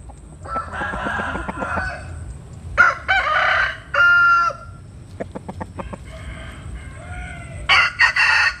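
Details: Roosters crowing at first light while chickens sunbathe in the morning; loud, harmonic cock-a-doodle-doo bursts come in separate phrases, with clicking and clucking sounds between them and a faint steady high hiss.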